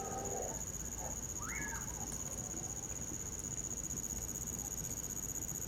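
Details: Winter recording of a common pauraque near a bonfire: a single slurred whistle rising sharply and falling away, backed by continuous shrill cricket trilling and low crackling noise.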